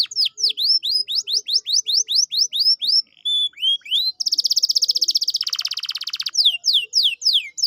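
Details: Canary song played to prompt a lazy canary into song: rhythmic falling-then-rising whistled notes about four per second, a few lower notes, then a dense loud buzzing trill before the whistled pattern returns.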